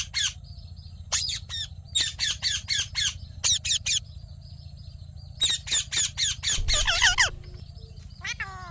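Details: Ring-necked parakeet, described as a talking parrot, uttering quick runs of harsh, high squawks about four per second in clustered bursts, ending with a few warbling, wavering notes over a low room hum.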